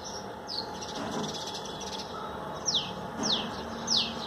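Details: Common Tailorbird in a garden, bathing on trees wet after the plants were watered. Four short, high, downward-sliding chirps are scattered over a steady background hiss, with quiet lower rustling between them.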